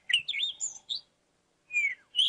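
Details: A Cape Robin-Chat song played back from a phone on a safari drive: bright, varied whistled phrases, quick and warbling, then a pause before a falling whistle and another clear note.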